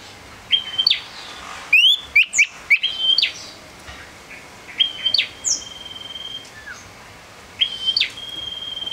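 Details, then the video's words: A tame male Common Iora, a small yellow bird, whistles high, drawn-out notes, some held flat and some ending in a sharp upward flick, in phrases every couple of seconds, with faint chirps between. "Suara Sirtu Jantan"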